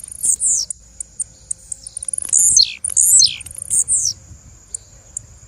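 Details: High, squeaky calls from a female blue-black grassquit: a dense burst of bright descending slurs in the middle, framed by lighter ticks and shorter downward notes, with a steady thin background tone.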